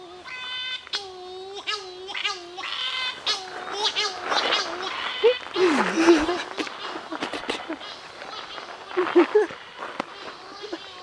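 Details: Wailing harmonic cries of Cory's shearwaters heard at night in forest on Sao Miguel in the Azores, repeated drawn-out calls roughly every second at first, then overlapped by people talking and rustling.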